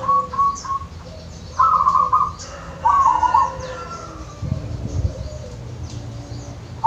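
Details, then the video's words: Local wild zebra dove in the Wonogiri countryside, used to spur silent pet doves: a few soft short notes, then two louder rapid trilled coo phrases, followed by low rumbling background noise. "Suara perkutut lokal dari alam Wonogiri"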